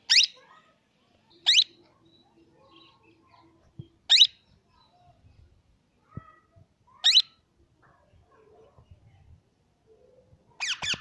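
A plum-headed parakeet gives short, shrill, squeaky notes every few seconds, ending in a quick burst of calls; faint room sounds in between.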